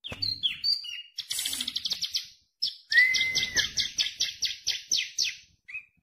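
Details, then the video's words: Tame bar-winged prinia in full, lively song: a few varied introductory notes, a dense buzzy trill, then a rising whistle followed by a fast series of bright, sharp strokes at several per second, ending with a short note. "CIBLEK KRISTAL JINAK GACOR DOR"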